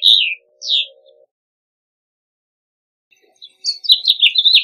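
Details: House Finch (Haemorhous mexicanus): two short, high, down-slurred chirps open, then a silent pause of about two seconds before a fast, tumbling warble of bright notes runs to the end.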